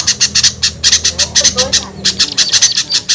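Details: Lure call meant to attract small birds: clipped, harsh high chirps in rapid groups, with a short pause and some lower sliding notes near the middle.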